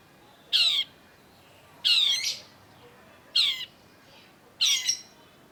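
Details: Long-tailed shrike, used as a lure to get non-singing shrikes singing: four harsh, scratchy squawks, each about a quarter second long and spaced roughly every 1.3 seconds, over a quiet background.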